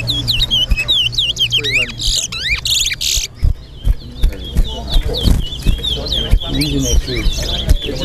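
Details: Caged towa towa (chestnut-bellied seed finch) in a Guyana singing competition, East Side versus West Side, delivering rapid, sweet whistled phrases with sliding notes and quick trills, over low crowd murmur and background music.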